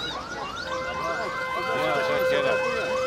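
Wailing siren sweeping up and down repeatedly beneath steady electronic tones, with faint speech; no animal sound.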